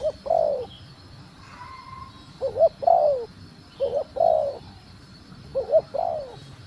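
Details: Female spotted dove calling to stimulate the male: two-part coos, a short rising note then a longer falling slurred coo, repeated four times at steady intervals, with a faint higher whistle between phrases.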